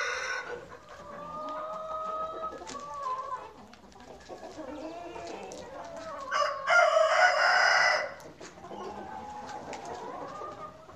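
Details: Farmyard chickens heard on a brief tour of the farm: soft rising and falling clucks from several birds, interrupted midway by a loud rough crow lasting about a second and a half, then quieter clucking resumes.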